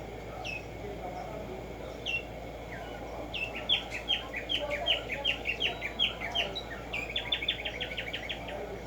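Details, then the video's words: Black-striped sparrow, known locally as tumba yegua or tico tico, singing in nature: a few spaced downslurred notes, then a quickening run of sharp downslurred chips about five per second, with a second rapid burst at the end, over a faint hiss. "HACER TRINAR a Tumba Yegua Audio para estimular el CANTO a estas bellas aves en la NATURALEZA"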